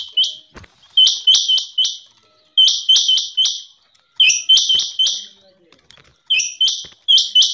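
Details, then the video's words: Repeated metallic, high-pitched paired notes from a rain quail, grouped in quick runs of three or four and separated by brief pauses. "اسپیشل چنڑگا کی لاجواب آواز 2023/Rain quail ki awaz"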